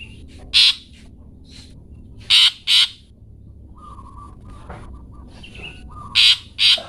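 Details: Long-tailed shrike 'toet toet' notes meant for birds to copy: one harsh rasp, then a double rasp, a pause with faint level whistles from other birds, and a final closing pair of loud grating notes.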